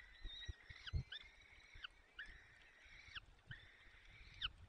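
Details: Barycz Valley, Poland, 30 April 2020: a male peregrine falcon feeding chicks at the nest. Four evenly spaced, level squealing calls about a second long, each dropping sharply at the end, with light tapping in the background.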